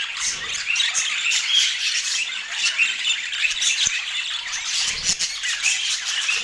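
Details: Budgies feeding and chirping together: busy, unbroken high warbling and chatter throughout, with a few soft clicks; no music or voices.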